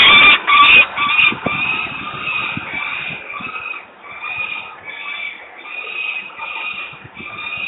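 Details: Juvenile peregrine falcon calling at Włocławek on 11 July 2022: a loud, scratchy opening burst, then a long run of rasping, nasal calls repeated roughly twice per second, fading and swelling, over faint low rumble.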